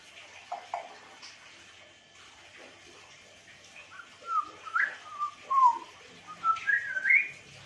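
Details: African grey parrot singing: a quiet opening with a few faint notes, then from the fourth second a run of clear whistled notes, sliding up and down, several sharply rising, closely spaced near the end.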